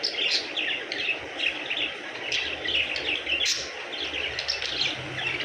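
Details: Pet budgerigars eating sweet corn chirp continuously in a busy chatter of short, bright notes.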